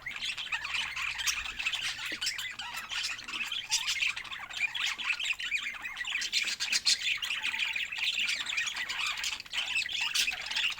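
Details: Budgerigars kept as pets keep up a steady, overlapping stream of scratchy chirps, warbles and short squawks, lively and unbroken for the whole stretch.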